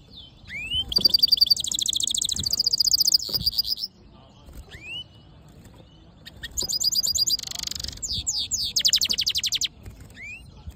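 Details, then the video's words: Black-hooded yellow siskin mule singing: two long bursts of rapid, high, tinkling and buzzy trills and twitters, with short rising whistled notes between them. Faint low background noise. "Black HOODED yellow siskin mule | Cabecita negra CD | Carduelis singing"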